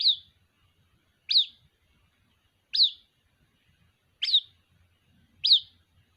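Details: White-breasted waterhen chick calling to its mother with five shrill, falling peeps spaced about one to one and a half seconds apart, in near silence apart from a faint low hum.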